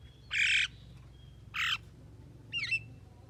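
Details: Javan myna, presented as a talking bird, gives two long, rough, buzzing squawks followed by a shorter warbling whistled phrase that rises and falls, over a low background hum.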